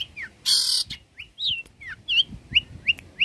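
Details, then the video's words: Long-tailed shrike, a skilled singer and mimic of many bird species, singing vigorously as a tutor recording for cage birds: varied short whistled notes, some rising and some falling, with one loud harsh rasp near the start and quick upslurred chips toward the end. "Pancingan suara burung cendet gacor"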